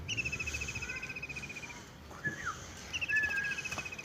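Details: Singing birds in a village: a long, even, rattling high trill, a few clear whistled slurs, then the trill starting again near the end.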